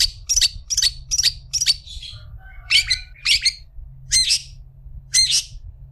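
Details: Long-tailed shrike singing for use as a tutor recording: a run of short sharp harsh notes about every third of a second, a brief soft warble, then spaced piercing squeaky calls, low hum behind.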